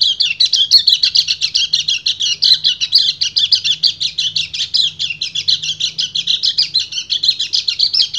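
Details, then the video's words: Breeding male white-eye singing continuously in the 'ngecir' style to call a female: an unbroken stream of high, scratchy twitters and chirps without pauses, over a soft low hum. "PLECI GACOR NGEBREN - KECIAL KUNING BIRAHI MEMANGGIL BETINA"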